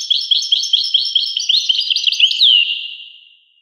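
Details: European goldfinch song: a fast run of bright, liquid twittering notes and short trills, ending in a loud downslurred whistle that fades out, with no other sounds.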